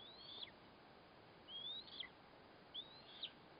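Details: Eastern imperial eagle at the nest feeding its chick, with a kite as prey, 4 August 2024; three thin, high, rising whistles about a second apart, each ending in a sharp downward flick, over quiet background hiss.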